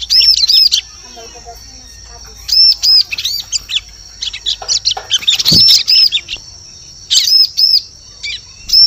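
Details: Bar-winged prinia call, a lure recording intended for the forest: clusters of high arched ringing notes and chirps separated by quiet gaps, with a brief low thud midway.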